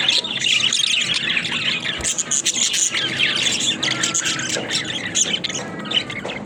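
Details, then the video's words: Budgerigars kept as pets chatter in a steady stream of bright, squeaky warbles and chirps, with sharp clicks and a few harsher squawks mixed in. "Funny Talking Budgies"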